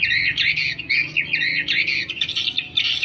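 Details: Swiftlets calling in a lure recording meant to draw them in: continuous buzzy chirring twitters, rising and falling in quick pulses, low hum underneath.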